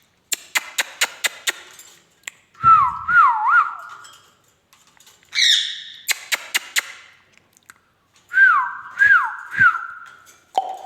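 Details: Indian ringneck parakeet at home alternates bursts of rapid sharp clicks with looping wavy whistles, a short buzzy squawk, and a low note at the close.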